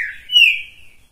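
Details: Green-winged saltator singing on a hand: a single loud whistled note that starts low, jumps higher and slowly falls away over about a second.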